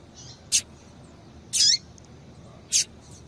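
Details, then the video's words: Female rusty-collared seedeater calling to stimulate a male's song: three high chip notes about a second apart, the middle one longer and slurred downward, over quiet hiss. "Piado de Fêmea de Coleiro para Esquentar Coleiro"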